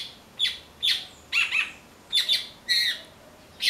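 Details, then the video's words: A blackbird foraging for fruit, eating passion fruit after finding no ripe persimmons, utters loud raspy squawks and doubled chattering notes roughly every half second, each burst harsh and wide-toned. "Melro Cantando"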